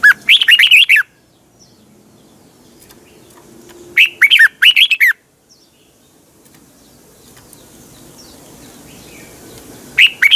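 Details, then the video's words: Caged red-whiskered bulbul singing a morning song used to train other caged birds: short bursts of rich, warbled notes with rising and falling slurs, given in phrases about a second long separated by pauses. "Luyện chào mào hót sáng, hót hay - Giọng kép xoắn tít"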